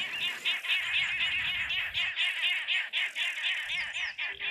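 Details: Egyptian geese at a waterhole on 25 January 2024 give a harsh, raucous chorus of rapid, repeated cackling notes, about two per second, with a faint low rumble underneath.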